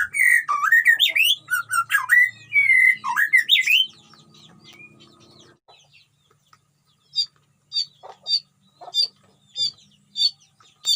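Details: Captive white-rumped shama in a colony cage, singing energetically: loud, varied warbling with rising and falling whistled slurs for about four seconds, then a quieter pause and a series of sharp, spaced chips.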